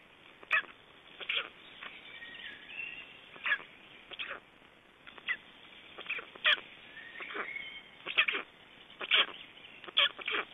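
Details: Estonian black storks at the nest on 31 May 2012, during a change-over and feeding: a run of brief rasping, hissy bursts repeated about once a second, uneven in spacing, with a few thin squeaky notes between.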